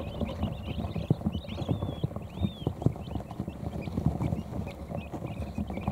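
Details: Newly hatched quail chicks, a few hours old, finding their places under an electric heat plate after feeding; busy high peeping with a few longer curving whistled cheeps, over dull scratching and bumping.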